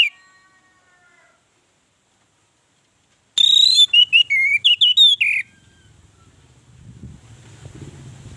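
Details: Orange-headed thrush singing a lure song meant to make other birds call: a two-second run of rapid, warbled, pitch-jumping whistled notes after a quiet start, followed by low background rumble.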